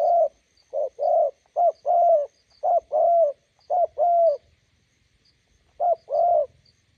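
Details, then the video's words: Spotted dove, roadside decoy meeting a wild bird, giving groups of low paired coos, short then longer, several in a row, a pause, then one more pair; faint high chirps. "bổi đẹp gặp mồi Đồng Gù"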